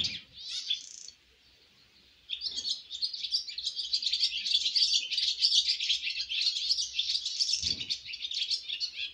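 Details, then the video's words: Baby swallows flying from the nest for the first time: a few chirps, a quiet gap, then sustained rapid high-pitched twittering, many notes overlapping, with low knocks. "Yavru kırlangıçların yuvadan ilk uçuş şarkıları 🥰 First flight songs of baby swallows"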